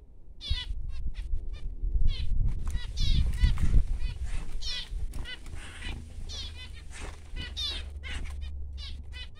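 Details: Newborn baby finches producing dense, high, buzzy chirps in rapid irregular series, with a louder low rumble and some handling noise midway.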